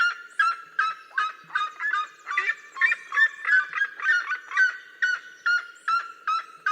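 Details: Red-legged seriemas duetting in the Cerrado: overlapping, yelping barks from two birds interweave in a continuous, uneven stream of ringing, nasal notes.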